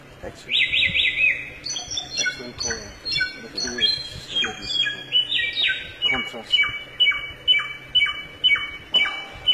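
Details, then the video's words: ['Wild samyong bird in forest, delivering a varied song of rising and falling whistles, followed by a run of evenly spaced, downslurred clear notes repeated several times a second.'] "suara burung samyong dihutan sungguh indah"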